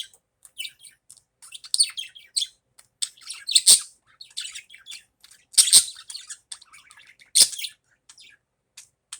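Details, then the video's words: Budgerigar calling in the morning: busy, irregular chirping and chattering with short high squawks and several louder bursts, indoors. "Morning Budgie Fun"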